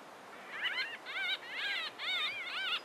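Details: Three white-fronted bee-eaters interacting near Carlisle Bridge, Grahamstown, give rolling, wavering, mid-pitched trilled calls in overlapping bursts about every half second, with soft background hiss.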